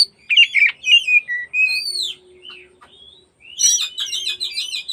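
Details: Afternoon song of an oriental magpie-robin used to provoke other magpie-robins: fluty slurred whistles and a rising-falling note, a short pause, then a rapid run of rolling chattering notes.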